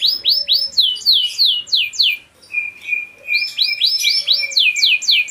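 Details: Caged Spanish Gibber canary (Giboso Español), pure-bred, singing: series of rapid descending sweeping whistles repeated about four per second, a brief pause with a steady lower tone, then more downward-sweeping notes.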